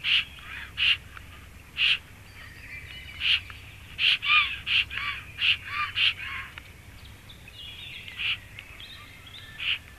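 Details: Black stork nest in Latvia as the male returns and the female leaves: spaced harsh, hoarse, croaking notes, with a denser cluster of rasping calls midway, over a low steady background hum.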